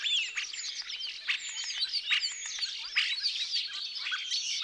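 A common starling sings a busy, unbroken medley of slurred whistles, sharp clicks and scratchy chatter, with rapid squeaky notes tumbling over one another.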